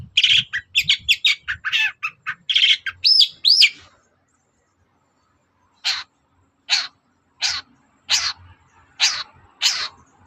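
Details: Long-tailed shrike in full morning song to provoke other birds into answering: a quick burst of varied scratchy chirps and two rising whistles, then a pause and six spaced harsh notes roughly one per second.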